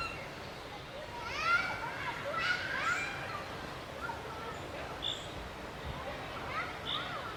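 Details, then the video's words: Begging black woodpecker chicks during a feeding visit: a run of rising and falling nasal, harmonic calls clustered in the first three seconds, then softer scattered squeaks, all over low outdoor background noise. "Sortspætte fodrer ungerne - Black Woodpecker feeding chicks"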